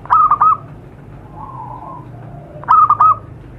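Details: Zebra dove calling in natural surroundings, used to lure wild doves: two stuttering coo phrases about two and a half seconds apart, with a faint, soft, lower coo between them.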